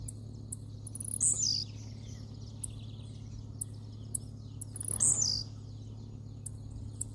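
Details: Blue-black grassquit singing while leaping: a short, high, buzzy downslurred note given twice about four seconds apart, with faint ticks between and a steady low hum throughout.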